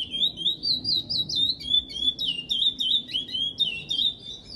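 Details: Chestnut-bellied seed finch (curió) singing the classic Praia Grande song type: a long, unbroken run of clear, warbling whistles that rise and fall in quick, fluid notes, with faint low background hum.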